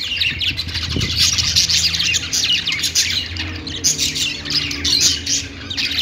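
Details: Several Australian parakeets kept as pets warbling on a perch, producing constant high twittering and chirps layered over a faint low hum.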